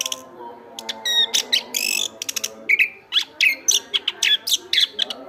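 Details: Chestnut-backed thrush in energetic song for training songbirds: a rapid buzzy trill, ringing whistles, then a series of clear downslurred and upslurred notes repeated roughly every quarter second, with a faint low hum.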